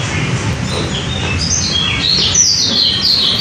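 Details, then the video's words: Lombok white-eye, locally called pleci lombok or kecial, singing as a lure; fast run of high, thin chirping notes sliding downward, phrases growing denser toward the end, with a constant low rumble beneath. "Burung pleci lombok atau kecial untuk pancingan"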